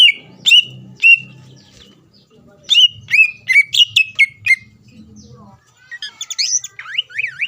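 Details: Greater green leafbird singing to stir rival leafbirds: sharp descending whistled notes in spaced groups, then rapid twisting warbled phrases; faint low background hum throughout.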